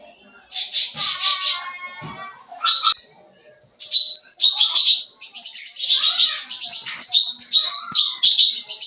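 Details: Sooty-headed bulbul singing a busy, fill-in-laden song for luring young birds; a coarse chattering burst, a rising note, then a continuous high twittering stream of rapid varied notes.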